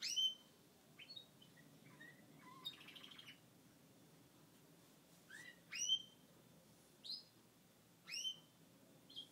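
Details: Male Gloucester canary, a caged pet, singing after moulting: scattered short whistled notes and quick downward-sweeping chirps, spaced by pauses of a second or more, with a brief buzzy trill.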